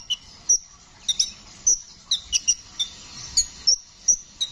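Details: Brown-throated sunbird, the kolibri ninja, singing in a rolling style. Thin, high squeaky notes and sharp ticks alternate at short, uneven intervals, some dropping briefly in pitch, across four and a half seconds.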